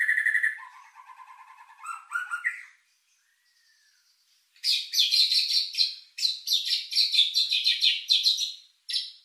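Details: White-rumped shama lure song, richly filled, used to stir emotion and mating drive: steady buzzy trill and harsh notes, a brief quiet gap, then a fast series of loud, scratchy chattering bursts.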